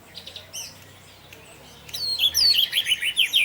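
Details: Orange-headed thrush in 'teler' style, a lure for other thrushes: brief scattered high notes, then from about two seconds a loud, fast run of bright whistled and trilled phrases.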